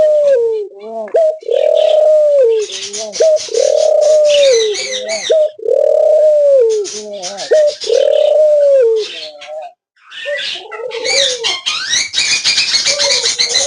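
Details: Australian dove uttering a run of rounded, rising-then-falling coos in close succession, with higher chirping notes above them; later the coos fade and broadband rustling and scratchy noise take over.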